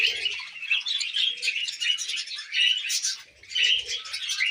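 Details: Tame pet budgerigars chattering while eating millet indoors: continuous dense warbling with quick chirps, squeaky whistles and scratchy notes, several birds overlapping, with faint low soft sounds underneath.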